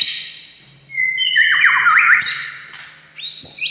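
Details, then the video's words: White-rumped shama song intended to provoke other shamas to sing: a high buzzy note, a long whistle breaking into fast warbled turns, then harsh high phrases, with a steady low hum behind. "SUARA kicau MURAI INI Buat semua jenis murai gacor,buat Murai DIAM Langsung NYAUT"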